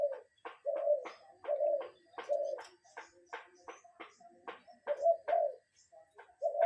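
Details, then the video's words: Real cuckoo recorded in nature, no music: steady series of mellow two-part hoots at low pitch, spaced roughly every second, interspersed with brief clicking sounds. "Relaxing Cuckoo Bird Sound in Nature"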